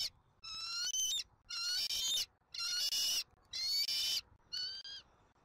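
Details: Bald eagle eaglet being fed dinner at a Southwest Florida nest, filmed by a nest camera on 13 January 2024: loud, shrill, harmonic squealing calls repeated about once a second, each call slightly rising, with short silent gaps between them.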